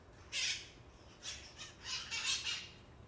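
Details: Parrots gone wild after release as pets, heard on Telegraph Hill in San Francisco: one loud rasping screech, then a quieter burst and a cluster of three grating squawks.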